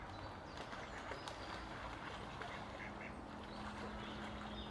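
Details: Mallard ducks recorded on 31 March 2021: short, rough, quacking bursts scattered through the clip, partly buried in a constant broadband outdoor hiss.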